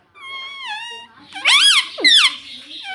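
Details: Pet ringneck parrot: a steady, slightly wavering whistled tone, then a burst of loud harsh arched squawks and a quick downward squeak, in a quiet room.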